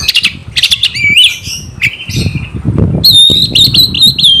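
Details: Energetic Oriental magpie-robin song meant to stir other magpie-robins into fighting: sharp whistled notes and harsh buzzy bursts, later a run of clear high whistles around rising and falling slurs, over low rumbling background noise.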